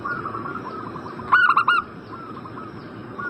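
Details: Zebra dove call for prompting an answer from a bird in breeding condition: a single brisk phrase of four rapid, bubbling coos, framed by quiet, continuous background cooing.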